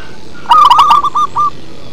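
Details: Local zebra dove giving one deep-toned song phrase: a quick burst of rough, clipped coos that trails off into three softer notes.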